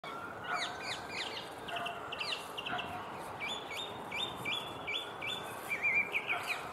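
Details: Song thrush singing from a tree beside an obelisk on a sunny winter day. It gives clear whistled phrases, each note repeated several times in a row, with brisk changes between short ringing motifs against faint background hiss.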